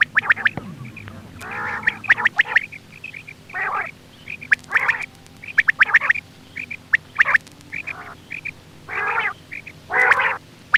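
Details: Hunting-lure quail sounds: repeated coarse buzzy rasps mixed with quick high pips and bursts of clicking, steady background hum throughout.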